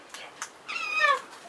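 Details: Male Princess parrot courting a female, after feeding her, gives two quick clicks and then a drawn-out, nasal, slightly wavering call of about half a second; no other clear sounds.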